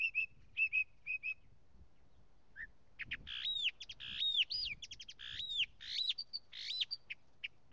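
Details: Singing Northern mockingbird giving three paired whistled chirps, a pause, then a dense, varied burst of buzzy, rapidly repeated and looping phrases, shifting between notes in quick succession.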